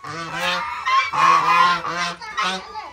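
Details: Domestic geese, layers of eggs for the past two days, give repeated harsh, braying honks in quick overlapping bursts, with a brief pause between groups of calls.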